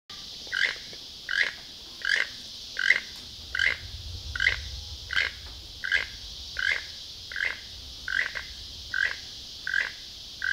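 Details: In Costa Rica, a toucan gives short, hoarse, frog-like croaks, about one every three-quarters of a second, steady and repeated, over a constant high insect drone.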